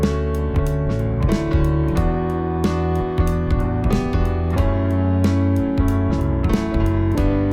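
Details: Strummed acoustic guitar with piano plays steadily throughout, with no animal voices.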